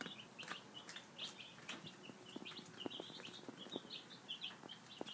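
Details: Breakfast time for five-day-old baby chicks, with constant high peeping from several birds and frequent sharp clicks of pecking.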